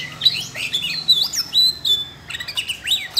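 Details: A captive Siberian rubythroat bursts into song after hearing training audio. Short high whistles, downslurred chips and quick twittering notes tumble out in uneven bursts, with faint low hum underneath.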